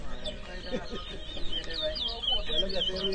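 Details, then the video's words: Towa towa, or chestnut-bellied seed finch, competing in a whistling contest in Edinburgh Village, Guyana, 2023; quick sliding high whistles repeat steadily while people talk nearby. "TOWA TOWA BIRD WHISTLING COMPETITION"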